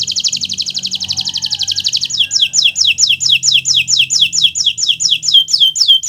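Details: Canary, Kenari Nusantara, in 'gacor' song used to tutor young birds: two seconds of dense buzzy trill, then steady rapid descending whistled sweeps about three per second.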